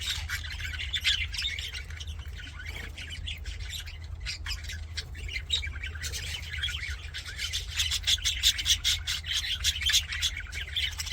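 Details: Happy budgerigars chattering in a dense, continuous warble of scratchy chirps and squawks, busiest in the last third, over a steady low mechanical hum.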